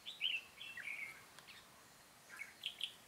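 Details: Red-whiskered bulbul during a trapping session, 13 March 2017, 'Cánh bướm' type; brisk sliding whistled notes in a short phrase, a pause, then a few more bright chirps.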